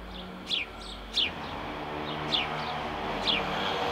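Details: Male house sparrow uttering quick, falling chirps, four loud ones in four seconds with quieter accompanying notes, over a low mechanical hum.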